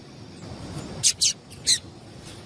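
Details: High, thin chirps from a female yellow-bellied seedeater, a call meant to stir up males: three quick bright notes close together, then a fainter chirp at the end, with low background rumble.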